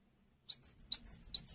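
Cinereous tit singing a quick series of high, sharp chirps that alternate between two pitches, about six notes in just over a second, with no other sounds.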